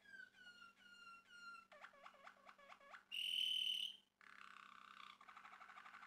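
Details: Singing male Malinois Waterslager canary moves through several tours: clear whistled falling notes, a series of hooked gurgles, a loud bright sustained ringing tone, then fast rattling rolls. A steady low hum is present.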